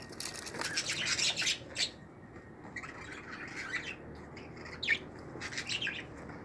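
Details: Budgerigar chicks, 2018 brood, in a family of pearl-marked single- and double-factor birds. Scratchy, squawking calls crowd the first two seconds, then softer rasping follows, with one sharp squeak near five seconds.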